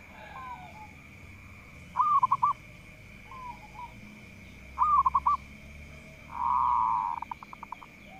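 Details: Zebra dove of local stock, kept as a lively singer that provokes rivals, repeating short stuttering coo phrases. Quieter slurred notes answer between them, and a drawn-out buzzy note ending in rapid pulses closes the sequence. A constant high hum sounds underneath.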